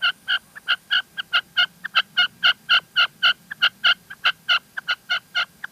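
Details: Female red-legged partridge from La Mancha, Spain, delivering loud, close, rapid clucking notes about four per second, each crisp and ringing with a rich tone, some notes paired, over near silence.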